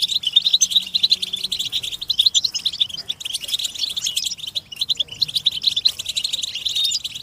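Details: A motivational chorus of European goldfinches for stimulating captive birds to sing: a dense, unbroken wash of high twittering and jingling notes from many birds, pulsing in quick irregular bursts.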